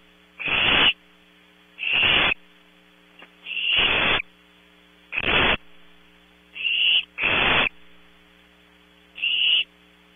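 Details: Barn owl owlets at night in a Starr Ranch nest, California, giving a series of seven harsh hissing screeches over ten seconds, irregularly spaced, some paired closely, alternating coarse and thinner tones, over a steady hum from the camera system.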